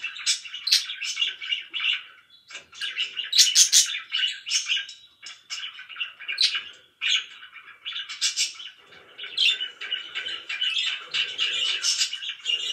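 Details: Loud chirping from pet budgerigars: continuous overlapping warbles, sharp clicks and high squeaky chirps in rapid irregular bursts, with softer lower chatter underneath in the second half.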